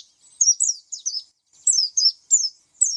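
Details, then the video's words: Oriental white-eye singing short clusters of sweet, high, downslurred chirps, two groups split by a silent pause, on a clean background. "SUARA kicau pleci"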